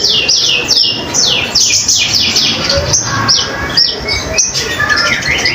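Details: Lively common iora song meant for teaching other cage songbirds: loud descending swept whistles in quick bursts, some grouped in pairs, with short pauses between phrases and a soft low hum behind.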